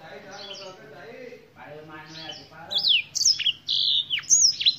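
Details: Black-throated canary singing: after a few seconds of low, voice-like murmuring, a burst of high, sharp whistled notes and quick downward-sweeping chirps follows in short, uneven phrases.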